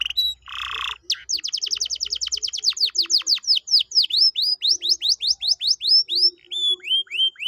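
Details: Canary song used to encourage a quiet canary to start singing: a short buzzy burst, then a long even series of crisp down-swept chips gradually slowing and softening into upturned notes.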